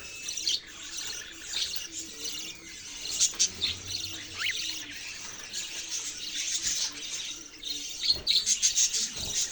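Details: Budgerigars chirping: dense, continuous high-pitched chatter of many overlapping scratchy tweets and warbles, with brief louder bursts near the start and a rapid run of sharp chirps toward the end.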